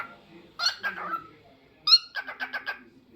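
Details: Pet cockatiel singing short whistled phrases, then one loud note followed by a fast stuttering series of five or six chirps, quiet room behind.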